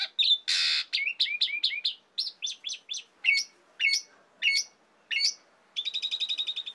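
Asian pied starling in loud, varied song: squeaky chips, rising whistles and harsh notes, ending in a fast rattling trill, all high-pitched.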